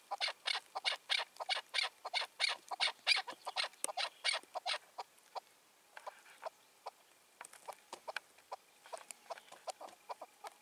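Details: Wild chukar partridge, caught and released two years ago, five to six years old, ruling its area and silencing rival males' voices, recorded in the evening on 4 June 2023: a rapid run of sharp chuck notes, then scattered softer notes.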